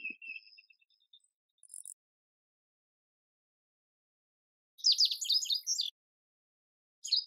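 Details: Indigo bunting giving a brief burst of high, crisp, downward-slurred notes lasting about a second, set among long silence and a few faint thin tones before and after.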